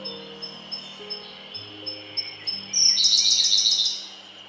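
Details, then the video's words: A Siberian blue robin on Mt. Haruna, Japan, gives a string of thin, high ticking notes about every half second, then bursts into a loud, rapid, rattling trill, over a low hum. "コルリ鳴き声 Luscinia cyane cry"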